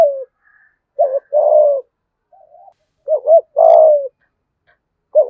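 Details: Decoy spotted dove in the 'giọng thổ' voice. Repeated phrases of low hooting coos, each a bouncing double note then a long descending croon, about twice in five seconds, with faint softer notes between.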